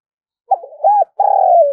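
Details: Part of a spotted dove's luring call: a quick stutter, one clear arched hoot, then a long mellow coo that slowly falls in pitch.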